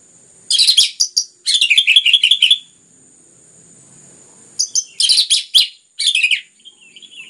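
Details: Orange-headed thrush singing in close, dense bursts meant to stimulate other birds to sing: two loud clusters of high chattering, scratchy notes, a pause, then two more busy bursts and a thin whistle; constant high electronic hum behind.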